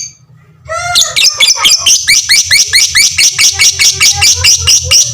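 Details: Fighter lovebird ngekek, a long chatter meant as a master for all lovebird kinds; a brief falling whistle, then loud rasping high chirps repeated about twice a second in a steady rhythm, with a low hum in the background.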